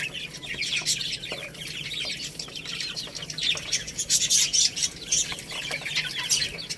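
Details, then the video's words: A group of chicks pecking at rice, chirping in a constant high-pitched babble of short descending peeps, with light clicking and rustling. "Beautiful Little Chicks Chirping Sounds"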